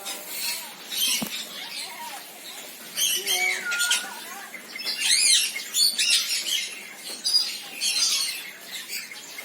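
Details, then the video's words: Senegal parrot mixing falling whistled notes and rising-then-falling squeals with rough squawks in clustered bursts. "SENEGAL PARROT SOUNDS - Suara Kicau Burung Beo Senegal"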